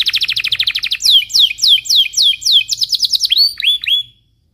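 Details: Belgian canary morning song, a lure to teach young canaries: a rapid bright trill gives way to slower, louder descending slurred notes, then a few high upslurs before silence.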